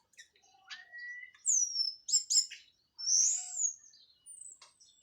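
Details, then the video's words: Local Cililin Orange-headed thrush, done moulting, giving 'plong' and 'teler' song: a rising whistle, strong downslurred high notes, a bright loud swelling whistle and a thin fading high note, in a quiet setting. "KICAU ANIS MERAH PLONG + TELER LOKAL CILILIN BERES MABUNG"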